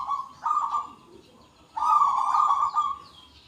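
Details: Local zebra doves singing actively with big, deep 'kung' voices, many answering one another. Two drawn-out, slightly trilled coos, each lasting about a second, with a quiet gap between them and no other clear sounds.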